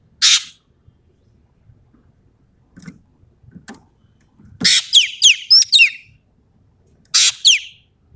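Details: Sumatran ekek keling, gacor tembakan song: an isolated harsh rasp, a few soft ticks, then one full phrase of a rasp and quick descending whistles with stacked high notes, and a shorter two-note rasp at the end.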